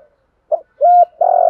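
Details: Lure spotted dove in the 'thổ' calling style: a brief low note, a clear steady hollow coo, then the start of a long rough burred note, close and loud.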